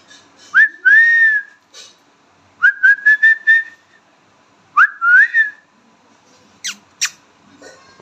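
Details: Talking pet Indian ringneck parrot gives three whistled phrases: rising slides into held tones and a quick run of repeated syllables. Sharp clicks and soft rustles come near the end.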